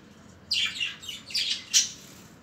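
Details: Budgerigars making short, harsh squawks in a quick run of four calls, the final one sharpest.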